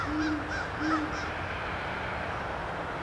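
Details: Great horned owls duetting on December 4, 2013: two deep, soft hoots close together near the start, then only a steady low rumbling background hum.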